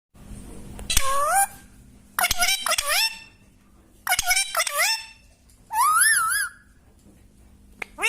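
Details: Pet parrot indoors giving loud, harmonic calls in separate bursts of about half a second, some rising and one wavering up and down, spaced one to two seconds apart over a steady low room hum.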